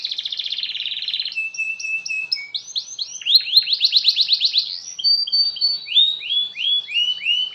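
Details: Canary singing long, continuous song to set off other canaries: a dense rattling trill, a flat whistle, then rapid repeated downward-curving notes running on without pause.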